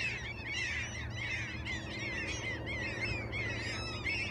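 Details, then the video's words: Gulls in Alaska giving bursts of sharp, downward-curving yelps from several birds, grouped in clusters roughly every half second, above a low droning rumble. "Sea Gulls are no respecter of the weather!"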